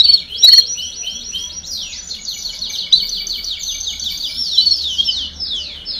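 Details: Canary baderna song used to encourage young birds to learn singing sooner: a continuous, bright, fast-pulsed trill sweeping down and up in pitch, shifting between rattling and whistled segments, over faint low hum.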